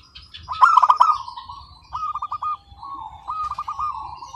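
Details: Local zebra dove in full, unbroken song, its voice described as crystal-clear: a loud, fast pulsed cooing trill early on, then quieter stuttering trilled phrases repeated several times, with faint coos from other birds behind.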